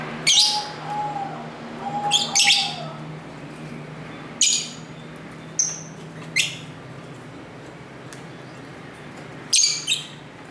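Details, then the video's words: Pet lovebirds chattering together at home close to a main street, captured by a camera's internal mic: a run of shrill, rasping chirps at irregular intervals, a faint whistled tone early on, and a low hum with soft street ambience. "Love Bird Sounds"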